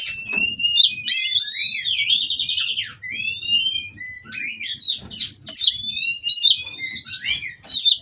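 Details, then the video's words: Captive-bred Oriental magpie-robin during mating, singing to provoke rivals: dense, fast tumble of twisting whistles and chattering trills, brief lull near the third second, then renewed bright phrases. "Burung Kacer Kawin Merangsang Lawan Untuk Bunyi dan Lebih Gacor"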